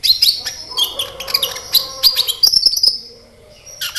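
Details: Sunbird, locally called kolibri ninja, in energetic gacor singing used as a lure to make other kept birds respond: rapid high, thin chirps and sharp tweets in dense bursts, with a short pause near the end.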